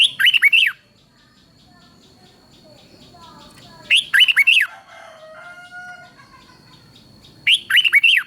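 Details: Thai caged red-whiskered bulbul song, a southern master-style phrase used to excite other birds and teach young ones: three short bursts of loud rollicking whistles about four seconds apart, soft calls and a steady high tone between.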